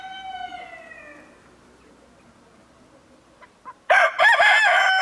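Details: Partridge Araucana chickens, a breed from Chile. A fading harmonic tail at the start is followed by quiet, then a sudden very loud, close, harsh crow that bursts in near the end.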